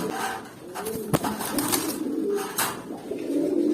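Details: Several newly adult pigeons around eight or nine months of age coo in low, throaty, wavering phrases, broken by a sharp knock and a few clicks and rustles.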